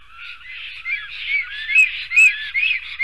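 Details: Black stork at a nest in Sigulda municipality, Latvia, 10:43 am on 11 June 2020, with male, female and two males fighting; overlapping rasping, arched notes repeated rapidly, with a couple of sharper high squeaks.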